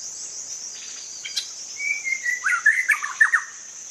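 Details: White-rumped shama in the wild giving plain song without borrowed fill-ins, meant to spur stalled shamas to sing: faint chatter at first, then a sustained whistle sliding lower and a burst of lively slurred notes, with insects droning high above.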